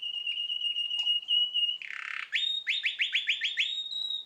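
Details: About nine months old, a canary sings a level whistled note, then a short buzzy rattle and a run of quick rising slurred notes repeated several times a second.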